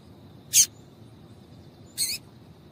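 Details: Two isolated, thin high chips about a second and a half apart, given by a female double-collared seedeater as a call to stimulate males to sing.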